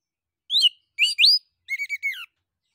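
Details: An orange-headed thrush, recorded as a lure for training songbirds, gives a brief burst of clear, high whistled and warbled phrases, four quick notes in under two seconds, against an otherwise quiet background.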